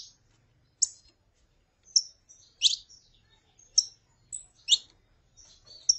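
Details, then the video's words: Saffron finch, female calling with male singing, used to warm up a kept bird: sparse short high chirps and sharp downslurred notes, spaced irregularly with quiet gaps between. "CANTO DE FÊMEA PARA ESQUENTAR CANÁRIO DA TERRA (FÊMEA CHAMANDO E MACHO CANTANDO)"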